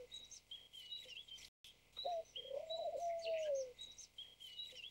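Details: White Turtle Dove, a captive white dove with no wild population. Quiet at first, then one short note leads into a long gently arched coo, with background twittering of small birds throughout.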